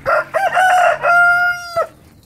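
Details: Rooster crowing in competition with other roosters: one loud, rich, harmonic crow opening with several short choppy syllables, then a long steady drawn-out final note that cuts off abruptly, followed by quiet background.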